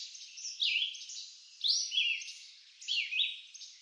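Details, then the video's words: Three slurred whistled phrases from a red-eyed vireo in eastern North American woodland, each swooping down and back up, spaced more than a second apart over faint hiss. "Red-eyed Vireo Bird Song"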